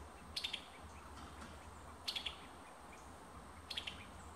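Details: Summer tanager, Alabama, repeating a crisp three-note clicking call, quick staccato triplets spaced roughly one and a half seconds apart over soft background hiss.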